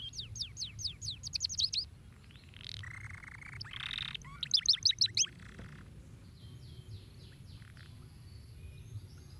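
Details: Canary singing to stimulate other canaries: a rapid trill of high sweeping notes, a pair of harsh buzzy notes, another fast burst of whistles, then softer scattered chirps fading out.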